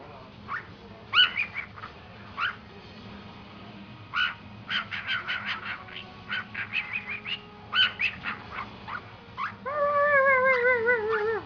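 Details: Cockatiel copying the family dogs' barks: a rapid, irregular string of short, harsh yapping notes, then a sustained wavering whistled note with rich harmonics near the end, with steady low household hum throughout.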